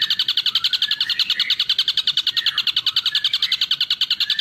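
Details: Ashy drongo singing a continuous fast pulsed trill, about three to four notes a second, with sliding lower whistles woven beneath, used for training songbirds.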